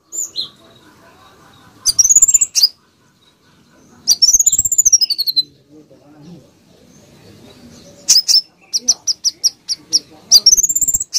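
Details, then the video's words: Training-song recording of a konin bird in full, rapid voice: repeated shrill rising-and-falling whistles with quick staccato pulses, several one-second bursts, the later ones breaking into a fast series of short sharp notes, with a soft low hum behind. "Konin gacor tembakan rapat"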